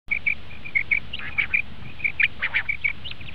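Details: Common quail, a recording used for quail hunting, giving short clipped notes near one pitch, repeated several times a second in an uneven run, with a few brighter, sharper notes mixed in.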